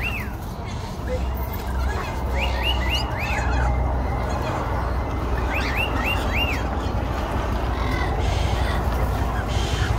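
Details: Wild lorikeets in Nanango town, South Burnett, give short, shrill arched chirps in quick bursts of three or four, over a steady low rumble of traffic or wind.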